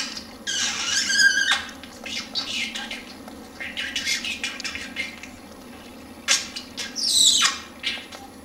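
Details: Indoor pet budgerigar, a male, wooing a female finch with kisses; rapid raspy warbling phrases and clicks, a loud squawky burst near the end, quiet room with faint hum.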